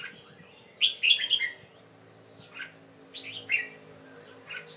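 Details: Young pet Red-whiskered Bulbul in late afternoon, 1 January 2012, covered for the night after bathing; a quick tumbling burst of whistled notes followed by softer scattered chirps.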